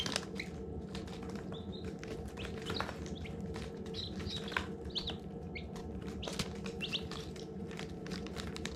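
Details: Baby chicks around hatching give sparse high peeps, short and slightly falling, among frequent dry clicks and scratching noises over a low humming background.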